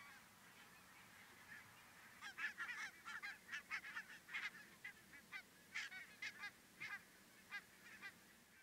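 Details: Thousands of migrating Arctic barnacle geese on an unusual stopover in central Finland: a dense chorus of short, yapping honks, many overlapping and irregular, building from a sparse start into a steady clamour over a low background rumble.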